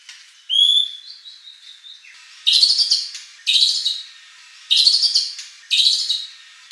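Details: White-rumped shama in Indonesia, recorded as a provocation for contest birds to sing back: a clear, pure whistled note, soft twitters, then four loud, harsh, rasping bursts spaced about a second apart.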